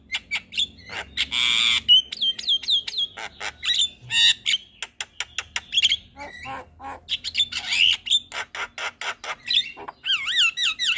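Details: Javan myna giving its morning call to prompt other mynas to answer, a busy jumble of harsh chacks, rasping bursts and looping whistled phrases that rise and fall, nearly continuous over eleven seconds.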